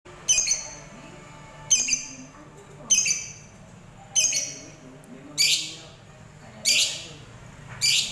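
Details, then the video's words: Lovebird, a fighter bird, giving harsh, loud, noisy screeching calls in short bursts roughly every one to one and a half seconds, with quiet background murmur between them. "Love Bird Fighter"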